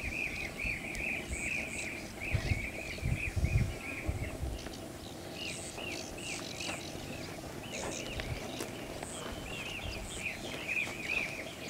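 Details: Blue-tailed bee-eater at Bharatpur Bird Sanctuary: short rolling chirps given in quick runs, repeated in bursts across the recording, over steady background noise and low rumbling.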